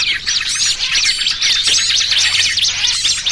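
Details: Several small birds twittering together as a trapping lure: shrill zigzagging whistles and rapid chirps overlap in a brief, unbroken burst of high chatter.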